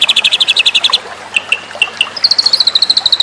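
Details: Masteran of the white-rumped shama (murai batu) for songbird contests: a fast buzzy rattle, a few spaced single notes, then a high rapid trill of evenly repeated notes.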